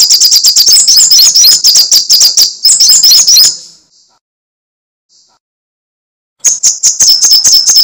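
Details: High, rapid crecetan chatter from a sunbird called sogok ontong or srigati: three and a half seconds of fast ticking with thin squeaky flourishes, a silent gap, then the chatter resumes.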